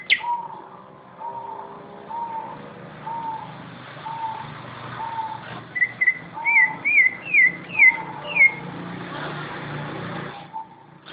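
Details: {'caption': 'Greater green leafbird song of competition quality: a run of steady, evenly spaced mid-pitched whistled notes, then a quick series of higher looping, rising whistles, over a low background rumble.'}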